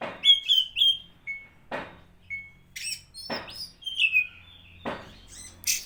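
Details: Oriental magpie-robin song used as bait to provoke other magpie-robins: bright whistled phrases and short slurred notes near the top of the range, broken by loud broadband rasping bursts.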